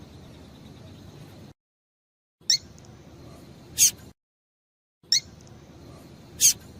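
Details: Female double-collared seedeater calling to make a male sing: short, high, clipped chirps in pairs, separated by brief total silences, with light background hiss.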